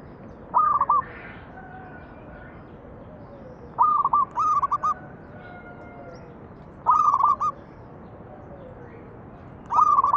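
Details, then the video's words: Local zebra dove song meant to lure other doves into singing: clusters of brisk, stuttering coo notes about every three seconds, separated by quiet pauses with faint background calls. "PANCINGAN BURUNG PERKUTUT MANGGUNG"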